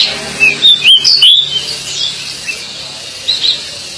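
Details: Pied bushchat (decu) giving a brief burst of sharp, high chirps and whistled slurs in the first second and a half, then quieter scattered notes and a final pair of chips.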